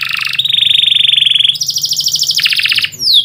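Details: Midday canary song made of long sustained rolling trills, shifting from a lower buzzy trill to a higher rapid one, ending with a quick downward sweep.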